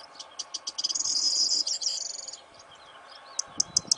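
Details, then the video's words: Breeding-season corn bunting singing nearby to court its mate: evenly spaced ticks speed up into a dense, glassy jangling rattle lasting about a second, then fade. After a short pause, fresh ticking notes begin the next song. "Que hermoso Triguero veanlo cantando"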